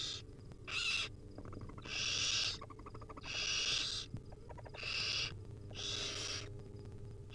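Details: Begging wild barn owl nestlings as the mother feeds them small bits of food; a run of harsh, hissing screeches, some paired, repeated about every second, with soft clicks between calls and a low hum.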